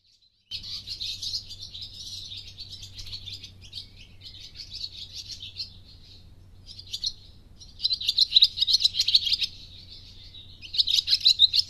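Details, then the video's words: Swallow chattering: dense, scratchy high twittering comes in uneven bursts, fading and swelling, with brief gaps and louder rapid runs near the end, over a low steady hum. "Swallow Chattering"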